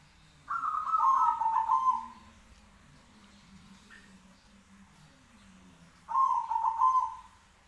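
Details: Two zebra doves answering each other, phrases about five seconds apart, each a soft, rolling, trilled coo that starts higher and settles lower, over a faint low hum; Zebra dove.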